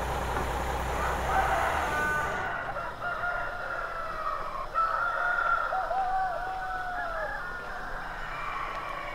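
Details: Rooster crowing at dawn in a village, with drawn-out tonal crows that waver and fall, one clear slurred crow late on, over a low rumble and steady background hiss.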